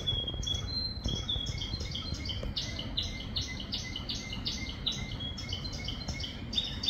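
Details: Canary song in the rain: quick clear whistled notes strung into rapid repeated phrases, some thin and sliding, over a constant low hiss and patter of rainfall.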